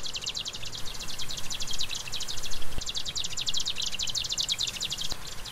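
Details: A Marsh Grassbird (Japanese swamp warbler) sings in song flight: a fast, dry, ticking chatter of high notes almost without pause, with a brief break midway, over a low rumble of wind.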